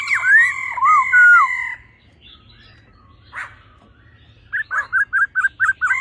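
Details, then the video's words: Female laughingthrush calling alongside a male singing in a wild, mature voice: loud looping whistles, a quiet gap with a single harsh note, then a run of short whistled notes repeated about five times a second. "khướu mái ro +trống hót giọng già rừng"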